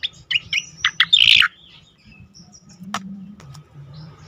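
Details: Striated grassbird singing sweetly, meant as a lure and sound therapy for songbirds: quick high chirps build to a loud rich buzzy burst around the first second, then fade to a single sharp note and low background hum.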